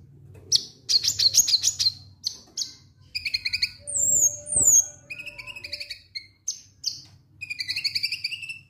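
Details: Konin lovebird ngek ngek song meant to provoke birds into singing: buzzy rapid trills at the start, then high squeaky whistles and paired chirps in short bursts, with a faint low hum beneath.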